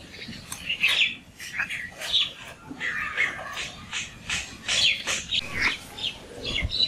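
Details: Birds singing in the morning: dense overlapping high chirps and short whistled notes follow one another without pause, with several callers mixed together and faint background noise.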